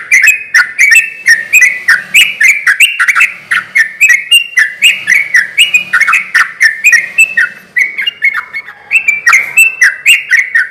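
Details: Sooty-headed bulbul singing persistently, played as a lure to provoke silent or stressed bulbuls into calling: a continuous stream of short, mellow, chattering phrases, about four per second, unbroken across ten seconds.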